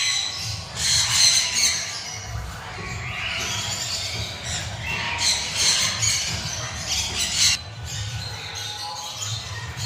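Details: A citron-crested cockatoo (Cacatua sulphurea citrinocristata), playing, gives harsh, raspy squawks in uneven bursts every second or so, over a low indoor hum.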